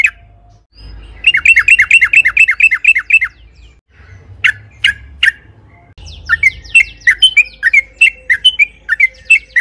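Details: Sooty-headed bulbul song used to provoke other birds into singing: a fast run of about a dozen repeated chirpy notes, a pause with a few sharp single calls, then a busier series of chirps and short phrases.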